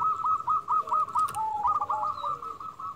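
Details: Local zebra dove lure call to provoke other doves to answer. Dense, continuous rippling coo trills held at a steady pitch, with a brief lower dip midway and a faint click of background noise.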